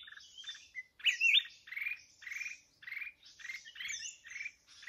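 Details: Red-whiskered bulbul during trapping with a decoy bird: harsh buzzy bursts repeated about twice a second, with brief high slurred whistles laid over them.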